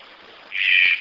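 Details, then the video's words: A Red-breasted toucan (green-billed toucan) gives one harsh, raspy note lasting about half a second, after a moment of faint background hiss. "CANTO DO TUCANO DE BICO VERDE"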